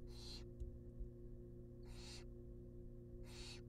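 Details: Wild barn owl chicks in a nest box being fed a rabbit repeat loud hissing, snore-like screeches about every one and a half seconds over a low background hum.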